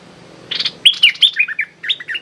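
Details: Streak-eared bulbul decoy bird calling at a captive bird: a short buzzy burst followed by a run of sharp, bright, descending whistled notes, clear and loud.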